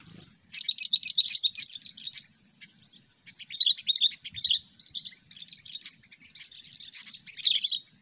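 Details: Cengkram over fighter song of a sooty-headed bulbul, recorded while bird trapping as a hobby: rapid twittering bursts a second or two long, repeated with short gaps, in a lively, jumbled rhythm.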